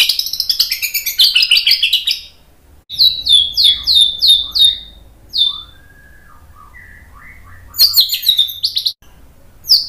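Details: White-rumped shama singing to stir other birds into song: a dense, high scratchy burst, then sharp high notes repeated about twice a second, soft lower chirps, and a final high flurry.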